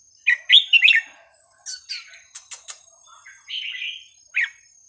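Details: Song of a red-whiskered bulbul with varied phrasing, played to tutor young birds: quick whistled slurs, then sharp clicking notes, then a longer buzzy warble and a final rising whistle.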